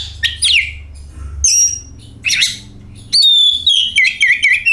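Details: Oriental magpie-robin singing as a lure to spur other birds into song: rasping chirps, then a long clear whistled phrase sliding down and rising again, over a low background hum.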